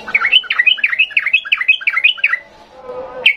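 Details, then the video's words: Sooty-headed bulbul in agitated ngalas singing, a rapid song style used as training material for young birds. A fast chattering run of about a dozen looping, up-and-down notes lasts over two seconds, then a single sharp note ends it. "Trucukan gacor emosi NGALAS"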